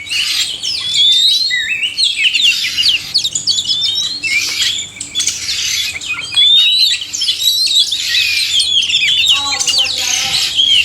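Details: Male and female oriental magpie-robins singing: looping whistles and sharp upward slurs mixed with scratchy chatter, a short lull, then a lively run ending in a rapid series of repeated clicking notes.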